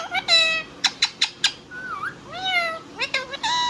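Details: Indian ringneck parrot kept as a pet, talking in rich speech-like syllables: a quick run of clipped notes, a wavering whistle and drawn-out nasal vowels.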